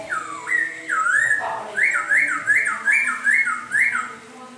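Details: Singing in the rain, a laughingthrush gives a steady string of clear, swooping whistled notes, each rising then falling, repeated roughly every half second with a brief rough note midway.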